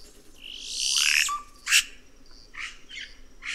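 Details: Red-rumped cacique: a long harsh rasping note followed by a short low whistle and a sharp click-like note, then several softer scratchy notes.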